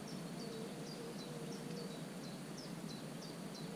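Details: Young common cuckoo in a marsh warbler's nest on 27 June. It repeats sharp, high-pitched descending peeps in a quick even rhythm above constant rushing background noise, with a faint low whine.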